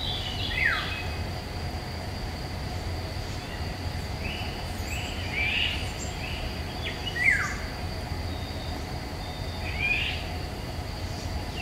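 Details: Eurasian golden oriole singing in woodland in May 2021, recorded with a Nikon Coolpix P1000: short, clear whistled phrases sliding downward, repeated at intervals of about two to three seconds over a steady low hum and background hiss.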